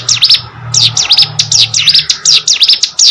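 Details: Rapid high notes from a hill prinia, each note dipping then rising sharply, repeated in quick succession with a low droning hum underneath.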